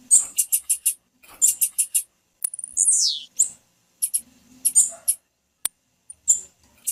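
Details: Piercing chip series of a female blue-black grassquit, played to stir males into song before tournaments; rapid groups of short high notes, then a drawn-out note gliding steeply down, followed by more scattered chips and clicks.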